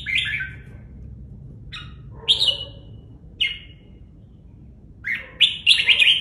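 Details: Red-whiskered bulbul in a training cage in Vietnam giving scattered short, bright whistled notes with long gaps, ending in a quicker burst of chattering phrases; faint background rumble.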